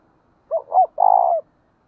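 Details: A spotted dove kept as a decoy gives a single gáy gọi phrase: two short, low, rounded notes followed by a longer, loud, rolling coo lasting about half a second. There is no background noise.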